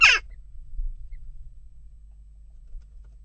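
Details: Western jackdaw at a nest box amid continuing unrest, giving a single short, harsh, descending squawk at the start, followed by quiet low background hum.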